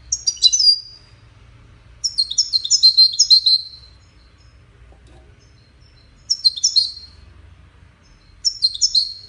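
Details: In a contest of five 'widaniya' European goldfinches, one bird sings four separate bursts of high, tinkling, stuttered twitters, each under a second and a half long and spaced about two seconds apart, with quiet gaps between.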